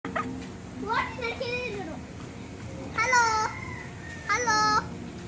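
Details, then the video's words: A cockatoo at a beach resort in Batam, Indonesia, gives three short, nasal, voice-like phrases, the last two louder and held, like mimicked speech or laughter, against quiet background noise. "Talking Cockatoo | Cute Cockatoo Laughing"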